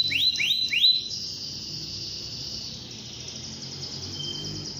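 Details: Canary singing in the morning to encourage other canaries to sing. Three clear, ringing slurred swoops are followed by a long, softer, even high trill that slowly fades, with a low hum beneath.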